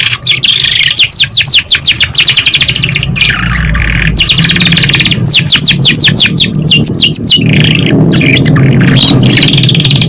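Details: Lure song of a canary to get young canaries singing: an almost unbroken run of rapid, evenly repeated descending notes and rolling trills, loud throughout, with a soft low hum underneath.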